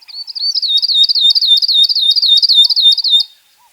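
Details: Northern grosbeak-canary, found in Ethiopia, Kenya and Somalia, delivering a loud three-second phrase of rapid, tightly looped whistled notes, nearly four per second, high and bright, ending abruptly into quiet.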